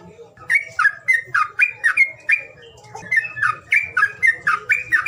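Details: Calls meant to coax silent birds into sound: brisk, evenly paced squawky chirps, about four a second, in two runs split by a short pause, over faint low hum.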